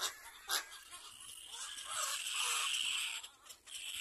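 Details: Little black cormorant caring for its chick; a harsh, wheezy hissing sound swells and holds for about two seconds after a short sharp burst, then fades with a few faint rustling clicks.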